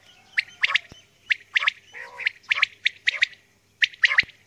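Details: Early-morning recording of a female common quail calling: short sharp triple notes repeated about once a second, with a low harmonic note near the middle and a faint steady hum.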